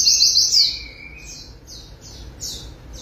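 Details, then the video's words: White-eye after bathing in water therapy opens with a loud burst of rapid high twittering notes, then trails into fainter, spaced high chirps. "Terapi Air Burung Pleci Langsung NGOTOT Ngalas Buka Paruh"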